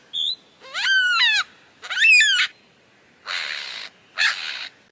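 A lyrebird gives a brief high chirp, then two loud, harsh, nasal calls with bending tones, followed by two hissing, rasping bursts, all within five seconds.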